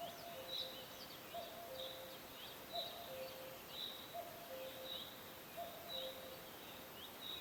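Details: Cuckoo calls in a forest: repeated soft two-note phrases falling in pitch, evenly spaced, mixed with frequent high chirps and tweets from other birds over constant broadband hiss.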